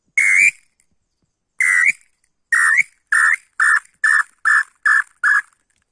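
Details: Tataupa tinamou (Crypturellus tataupa) calling: nine loud, pure whistled notes at one steady pitch, each with a slight upward inflection. They begin widely spaced, then come faster and shorter toward the end, over a quiet, clean background.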